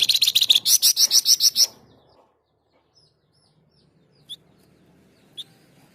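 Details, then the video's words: Flamboyan singing energetically, used as a model for teaching songbirds. A quick series of piercing, high, buzzy notes rattles out for under two seconds, followed by near silence with two faint, isolated chips. "Flamboyan Gacor Dor"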